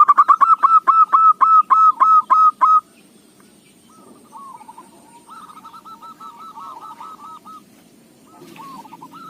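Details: Zebra dove of local stock, its song used as a lure. Nine loud, evenly spaced cooing notes open the recording. After a pause, softer rippling trills of rapid coos follow at intervals.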